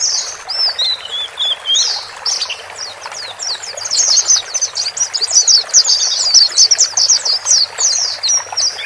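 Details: Pairs of white-eyes, male and female, heard as a lure to calm a newly purchased bird alone in a new cage; thin high notes that build into a rapid, steady twittering stream.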